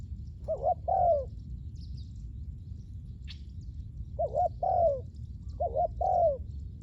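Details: Spotted dove calling for ground luring of wild doves, giving three similar phrases about two seconds apart, each a rapid wavering double coo followed by a longer falling note. A brief click sounds between phrases, with steady low rumble behind.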